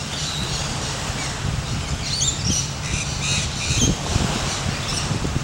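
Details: Lorikeets outside St. Mary's by the Sea, Port Douglas, give a continuous shrill, screechy chatter of overlapping high notes over a steady low rumble of traffic or wind.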